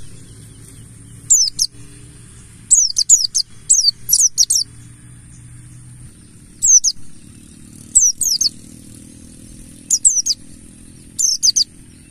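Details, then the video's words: High, sibilant downslurred notes from a buxtoni mountain white-eye in wild ngalas style, a lure to make birds sing, come in short bursts of one to four every second or two across twelve seconds, faint low drone beneath. "Pancingan burung Pleci Buxtoni Ngalas"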